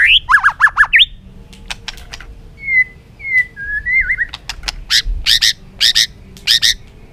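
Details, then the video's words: White-rumped shama singing a varied, many-voiced forest song: rapid looping whistled notes, sharp clicks, then drawn-out slurred whistles and a run of bright repeated chips near the end. "chòe lửa hót nhiều giọng rừng"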